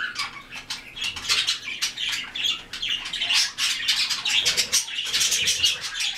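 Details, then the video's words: Several white-faced cockatiels trade rapid, grating squawks and clicks, the calls coming in rough pulses with a short quieter gap just past four seconds. "Белолицые кореллы"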